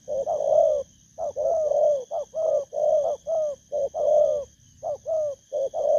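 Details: Rapid run of low coos from a wild-caught spotted dove: short, bouncing notes interspersed with longer rolling ones, delivered almost without pause, with a faint constant high-pitched tone behind.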